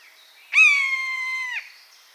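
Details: One sustained, hoarse mewing cry from a wild buzzard in its natural habitat. It holds a level pitch for about a second, then dips at the close, against a quiet background.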